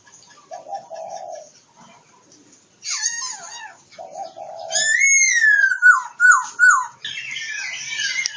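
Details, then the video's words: Oriental magpie-robin in Kebumen, Central Java, giving a broken song: a low blurred note, a scratchy burst, a long rising-then-falling whistle, and three loud, clear, upward-curled whistles repeated about every half second. "Suara burung kacer jawa tengah kebumen"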